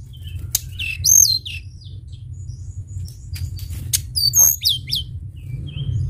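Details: A Sunda bush warbler sings vigorously, recorded as a lure. Loud high whistled phrases with sharp inflections come in two main bursts, separated by thin clicks and quieter notes over a low rumble.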